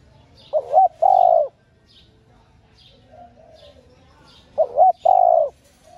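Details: ['Female spotted dove cooing to stimulate male doves: two loud phrases about four seconds apart, each two quick rising notes then a long falling coo, with a faint soft coo between and light high chirps from other birds.']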